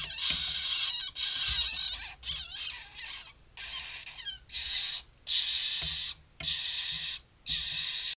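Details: Two chough chicks, hand-reared, calling at a mid-morning feed: loud grating, rasping squawks in about seven separate bursts, each up to a second long, with soft knocks and handling noise underneath.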